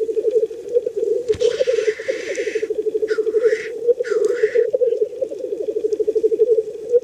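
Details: Male black grouse displaying at a wild spring lek where males fight over females: steady low bubbling cooing runs throughout, broken by three loud hissing, sneeze-like whooshes, the later two with a swooping rise and fall.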